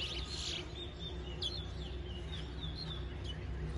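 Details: Towa towa in a 2022 singing contest at a New Amsterdam bird ground, Guyana: thin, high whistled notes and short slurs spaced through the clip, fainter than the background rumble and low hum.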